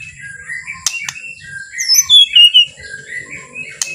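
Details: Relaxed white-rumped shama song used to draw other shamas into singing: soft, wavering mid-pitched whistles interrupted by sharp clicks, building to a short bright trilled phrase.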